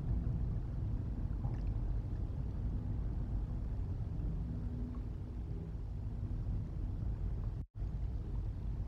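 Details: Deep continuous rumble along the Mississippi River flyway on 1 December 2023 at night, broken by a brief dropout near the end.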